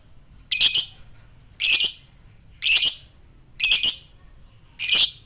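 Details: Fighter lovebird calling to provoke other lovebirds: five harsh, screechy, high bursts, each lasting about a third of a second, spaced roughly a second apart, with faint thin tones between them.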